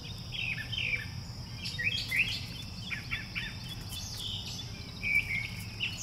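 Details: Background song of a brown thrasher outdoors: a run of varied, quick, slurred and chirpy phrases, several repeated, under a constant high insect buzz with low rumble and a man speaking nearby.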